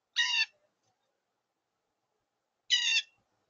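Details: Very loud, noisy blue jay: two harsh, buzzy, nasal screams, each about a third of a second long, separated by roughly two seconds of silence.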